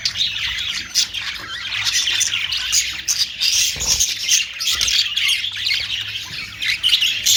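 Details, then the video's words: Budgerigars, called Australian parrots, in a dense, continuous chorus of high chirps, twitters and squawks from several birds at once, with a brief low thump near the middle. "Austrailian perrot beautiful sound"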